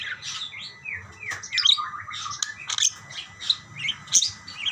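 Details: Several budgerigars answering one another with dense, rapid chattering chirps, squeaky whistles and occasional sharp clicks, continuous throughout, with faint low rumble beneath.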